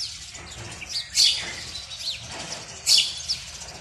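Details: House sparrow males calling near a nest box at daybreak in February as breeding begins, seeking females; two strong harsh chirps about 1.7 seconds apart, with softer slurred notes from other birds between.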